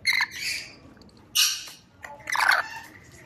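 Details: Rainbow lorikeet, a parrot of Australia, giving three loud, harsh, broadband screeching bursts about a second apart. Between the bursts the recording is quiet.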